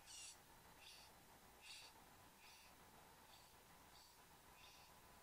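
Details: Satin bowerbirds, a male and a female at the bower, in Australia on 15 Nov 2014 at 09:05 am, give short, harsh, scratchy high-pitched bursts, one every second or less, over a steady low background hum.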